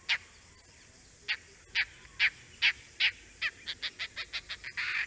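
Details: Oriental dollarbird in the Andaman Islands giving loud, harsh rasping notes, first spaced roughly half a second apart, then speeding into a fast chattering run that blurs into a continuous grating sound at the end.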